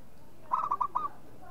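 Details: Zebra dove of local stock gives one brisk phrase of four to five bubbling, rolling coos, with a steady faint background hiss.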